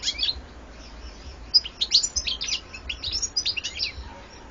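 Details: European goldfinch, 2014 recording: a lively run of high, rapid twittering and tinkling notes, starting sparse and becoming a continuous chattering phrase over the last three seconds.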